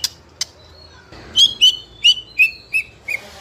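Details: Juvenile white-rumped shama in speckled plumage, fighter type, singing to provoke other young birds: a few faint clicks, then six loud clear downslurred whistles at an even pace.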